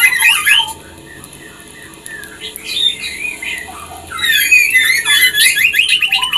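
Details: Female white-rumped shama singing to bring a male into breeding condition; varied whistled and chattering phrases, high and bright, with a quieter gap of softer notes between two loud bursts.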